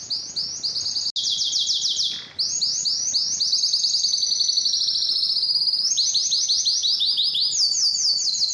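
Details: Canary in full song, delivering rapid chopped trills that shift into long rolling tours and a smooth sustained phrase, then quick repeated notes again; one short break early on.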